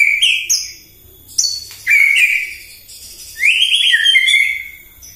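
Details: White-rumped shama giving a full morning song to provoke rival birds: loud rolling whistled phrases broken by sharp high squeaks, with a long rising-then-falling warble near the end.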